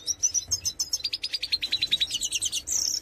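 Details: European goldfinch of the major form singing: quick high twitters, then a run of evenly spaced sharp notes, closing with bright buzzy, tinkling phrases.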